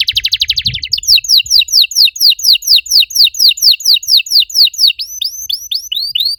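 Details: Canary master song used to stimulate other canaries that have stopped singing; opens with a fast buzzy trill, then a long series of bright downslurred whistled notes repeated about twice a second, shifting to rising slurs near the end.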